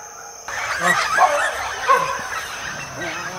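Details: A flock of red-tailed amazons (Amazona brasiliensis) arrives at Rio Castro, Itanhaém, São Paulo, Brazil, on 4 May 2017, the last birds coming in. Several give harsh, overlapping squawks and raspy screeches at once over a steady high-pitched insect whine.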